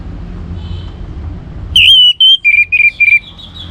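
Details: Singing orange-headed thrush, played to encourage other birds to sing: a loud, clear whistled phrase of about six short, slightly downslurred notes repeated rapidly after a quiet hum.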